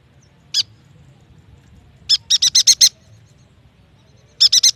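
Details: Lure recording of yuhina song meant to coax young or quiet captive birds into singing; a lone high note, then a rapid series of six bright chattering notes, and a further burst of four.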